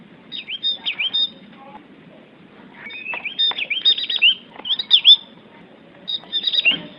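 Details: High, thin song of a Javan grey-throated white-eye, known locally as opior Jawa: clusters of quick slurred whistles and twitters, sometimes dipping then rising, separated by short silent gaps.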